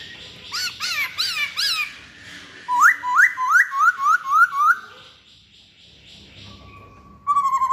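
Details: Lure song of a masked laughingthrush. Looping arched whistles over faint background hum give way to a rapid series of sharp upward-sweeping notes, then a long quiet gap and a short strong burst at the end.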